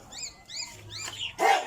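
A cockatiel gives short, arched chirping calls, ending in a harsher, louder screech.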